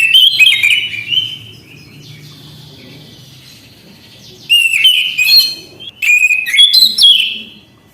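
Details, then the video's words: Kept orange-headed thrush singing energetically: a loud opening of whistled slurs, a thin sustained high note, then more bursts of varied warbling and harsh notes, low background hum throughout. "Anis kembang gacor anti macet bunyi"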